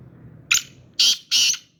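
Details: Black francolin (kala teetar), a Sindhi bird offered for sale, giving three harsh, grating notes: one short rasp followed by two longer ones in quick succession, over a quiet low hum.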